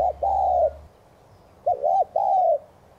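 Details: Spotted dove coo in the 'thúc gù' style for rousing other doves to coo: the tail of one long coo, then a fresh phrase of clipped double notes and a drawn, gently falling coo.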